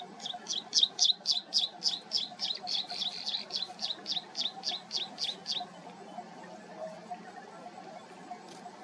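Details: Nestling chestnut munias in the nest beg while being fed by a parent, with a rapid run of about twenty thin, high, squeaky notes, four per second, stopping after five seconds over a low background hum.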